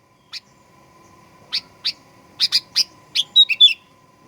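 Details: Sooty-headed bulbul, lure recording used to provoke aggressive singing: a lone chirp, then paired and tripled bright chirps quickening toward the end into a short whistled, warbling flourish, over a faint steady hum.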